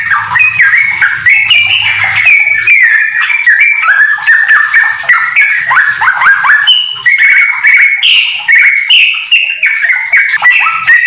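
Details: Yellow-vented bulbul in full, rapid ropel-style song with white-rumped shama phrases mixed in, used as a tutor recording: a dense, continuous run of loud whistled notes and quick falling slurs, with a low hum in the first two seconds.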